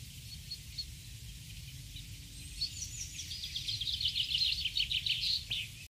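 Allen's hummingbird giving thin, high chips that build into a rapid, buzzy twittering run near the end, over a low rumble of background noise.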